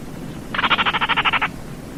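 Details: Single dry, croaking rattle of Baillon's crake, around eleven fast, even pulses lasting about a second, set in quiet low background noise.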